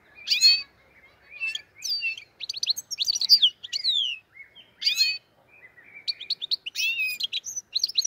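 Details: Black-headed goldfinch from the Andijan, Kuva and Fergana area delivering a lively song of clipped chirps, upslurred twitters and tinkling phrases in short groups separated by brief silences, background otherwise quiet.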